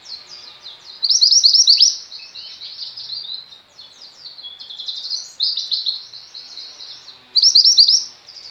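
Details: Female mountain white-eye, kept for training pet white-eyes, singing actively: rapid, high, sweet twittering phrases in loud bursts around one and seven seconds, with softer chattering between, clean with no other sounds.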